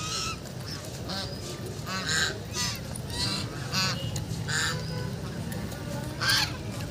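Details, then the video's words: Ducks playing on a lake, giving a steady series of harsh, nasal honking quacks, several per second at times, with overlapping callers, over a constant low rumbling background. "Ducks playing and making noise in lake"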